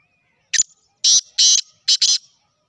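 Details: Sindhi kala tetar, the black francolin, calls once: a brief sharp note followed by two long harsh rasping notes and two quick closing notes, a two-second rhythmic phrase on a silent background.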